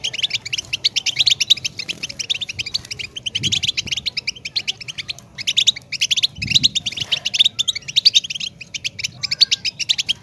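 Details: European goldfinch giving long, dense twittering song, rapid tinkling notes strung together for the whole stretch, with soft low thuds in the background.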